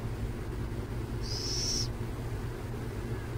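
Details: A single brief, harsh, high hissing screech from a burrowing owl near San Jose, with a low droning rumble throughout.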